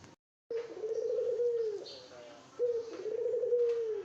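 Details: Gacor Puter dove courting a female, giving two drawn-out, low, even coos roughly two seconds apart, each with a soft trembling quality, in an otherwise quiet background.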